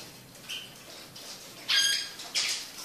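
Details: Red siskin chick singing excitedly: a brief high chirp, then louder harsh buzzy notes with a clear whistled trace, ending in another rasping burst.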